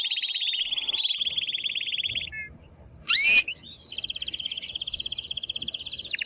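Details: Male canary in heated song to stimulate a female toward mating and for young birds to hear: long rapid trill, short pause with a sharp loud sweeping note, then another sustained fast trill.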